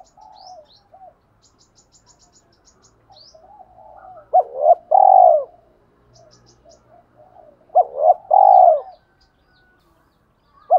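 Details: Spotted dove cooing in the 'thổ pha đồng' voice to lure wild doves: two low phrases about three seconds apart, each a few clipped notes ending in a long hoot. Thin high chirps of other birds and soft murmuring calls are in the background.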